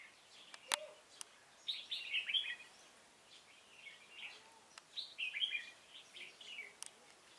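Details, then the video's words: Red-whiskered bulbul singing during bird trapping on 16 November 2017: short bright warbled phrases, sweet and whistled, broken by pauses, with a few sharp clicks between them and a quiet outdoor hiss. "Bẫy chào mào"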